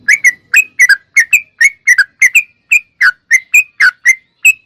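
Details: Trucuk, the sooty-headed bulbul, sings in gacor style as a lure and daily training song: evenly spaced, liquid, slightly rising whistled notes, some doubled, about three per second, with no other sounds.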